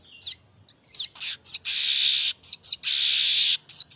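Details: Streaked weaver (manyar kembang) singing continuously, unedited: short sharp chirps and twitters alternating with long, loud, harsh buzzing trills lasting nearly a second each, over a faint low hum.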